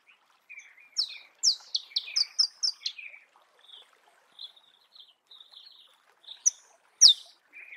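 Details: Recorded in natural habitat, a Marico sunbird delivers a quick run of high descending chips, then thinner scattered notes and a single loud sharp note near the end.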